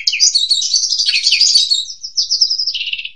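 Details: Asian pied starling master song, used to train young birds: a dense, continuous run of high chattering and squeaky notes, ending in a lower buzzy trill.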